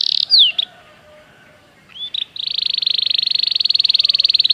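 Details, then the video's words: Belgian canary in training song: a brief buzzy note and falling whistle, a quiet pause, a short rising slur, then a long rapid rolling trill held at one high pitch. "O canto do canário belga fascina muitas pessoas"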